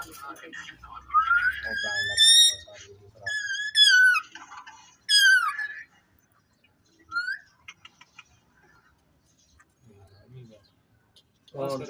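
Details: Indian ringneck parrot in a cage talking: three loud, harmonic speech-like phrases with rising and falling whistled tones, then a short whistle and quieter murmurs.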